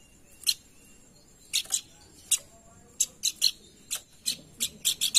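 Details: Lure recording of a pelanduk bukit, meant to prompt singing: scattered sharp high chips, single at first, then in loose clusters that quicken toward the end, over a quiet background.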